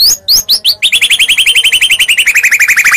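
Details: White-rumped shama from Medan in fighting song: a few upswept whistles followed by a fast, evenly spaced trill of about eight notes per second, gently falling in pitch.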